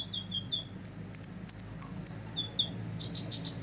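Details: A six-year-old olive-backed sunbird sings to excite rivals: short downslurred whistles and high piercing chips, ending in a quick burst of rapid tweets, with a low steady hum underneath.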